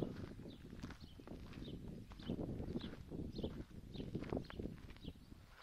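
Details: Recently hatched wild greylag goose goslings at Lake Neusiedl, guarded by adult geese and heading to the water: a steady stream of high, thin, slightly falling peeps over low shuffling and pattering footsteps.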